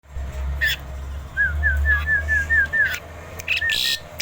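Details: Tame, very vocal Asian pied starling giving a run of clear, looping whistled notes, seven in quick succession, with sharper chirps before and after over a low rumbling hum.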